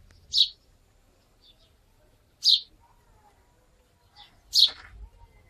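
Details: House sparrow recorded in 2017 in the Wittlicher Tal, three loud, short chirps spaced about two seconds apart, with faint softer notes between and a quiet background.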